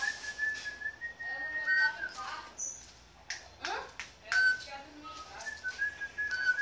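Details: A campo troupial whistles a learned tune, an anthem, in clear, fluty notes near one pitch, with breaks between phrases and faint background voices and room noise.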